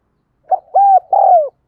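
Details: Single call phrase from a spotted dove used as a decoy: a quick introductory note, one arched coo, then a longer coo sliding downward, sung thúc gù gáy gọi style.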